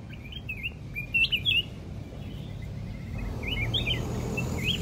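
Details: A released red-whiskered bulbul fighting a caged bulbul, still returning to attack after being shooed away, gives short, bright, warbling chirps in quick bursts, high-pitched and lively, over a steady low background rumble.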